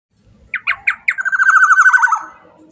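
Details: Black-naped oriole song: three separate harsh, nasal notes, then a fast run of repeated fluttering syllables that rise slightly and fade after about a second.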